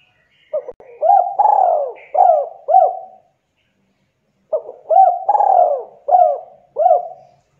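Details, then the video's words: Spotted dove, Javanese type, very vocal, giving the tight "kuk 2" cooing phrase twice with a pause between: low hollow notes, a stutter, a long falling coo and two arched coos. "Derkuku Jawa super gacor suara rapat KUK 2"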